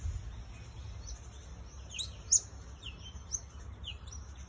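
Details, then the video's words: Elegant parrot giving short, piercing high-pitched call notes, one much louder chip near the middle, with softer thin notes before and after, set against a low continuous rumble. "Elegant Parrot"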